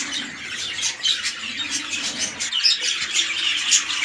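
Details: Red-eyed lutino budgie breeding pair, king-size male with undersized female: rapid scratchy chirps and squeaks overlapping in a busy warble, brief sharp clicks scattered through the chatter.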